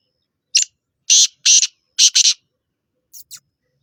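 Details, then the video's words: Black francolin, known locally as Sindhi kala tetar, giving a harsh, grating call. Five loud, rasping broadband notes come over about two seconds, the last two run close together, then two faint echoing notes follow. The background is quiet. "Sindhi Kala Tetar Awaz"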